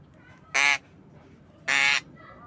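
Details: Pet Javan myna in the afternoon giving two loud, grating, nasal calls, each about a quarter second long and roughly one second apart, against faint steady background noise.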